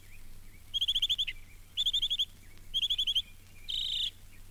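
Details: At Mountain Lake Sanctuary, Lake Wales, Florida, from a 1970 record, a Northern Mockingbird, Florida's state bird, sings bright, high phrases, each a quick run of repeated notes, changing phrase about once a second.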